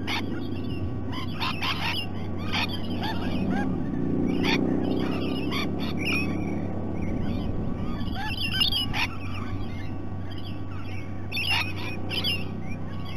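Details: Rainbow lorikeets at breakfast time, Sydney Olympic Park, Australia, 2018, giving a busy series of shrill, harsh screeches and chatters, several birds calling in quick succession over a low humming background.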